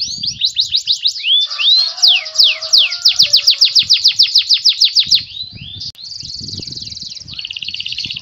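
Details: Canary singing a cengkok song: quick repeated sweeping notes rolling into a long fast trill, then a brief break and a buzzy, rattling high trill, with faint low knocking noises beneath.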